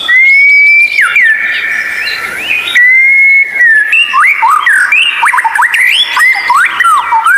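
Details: White-rumped shama tutor recording for therapy of birds that seldom sing: level whistles alternate with quick looping notes that rise and fall, and the song grows busier toward the end.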